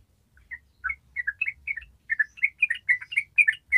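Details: Long 'ropel' song of a Yellow-vented bulbul, starting with spaced chirps then speeding into a rapid run of bubbly doubled notes in a clean quiet setting.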